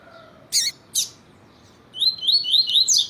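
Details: Double-collared seedeater (Sporophila caerulescens, coleiro tuí-tuí) singing, with a female calling to stimulate other males: two harsh, buzzy chips, then a fast run of high, rising whistled notes repeated several times a second.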